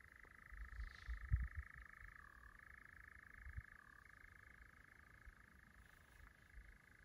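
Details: European nightjars in Llanwonno Forest in 2022: one churrs without a break, a dry mechanical trill that drops and lifts in pitch twice, over a low wind rumble.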